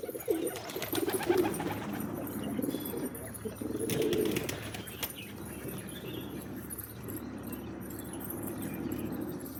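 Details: Pigeons cooing in low, throaty, pulsing phrases, several overlapping bouts near the start and around four seconds, with background clatter and faint higher chirps from other birds.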